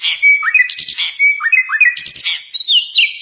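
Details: Energetic sikatan londo flycatcher song meant for training captive birds: short upswept whistles and a held level whistle alternate with harsh buzzy bursts and twittering notes in quick succession.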